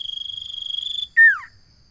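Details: Common iora song phrase: a sustained high trill of fast, regular pulses, cut off by a strong down-slurred whistle. A faint constant high tone lies underneath.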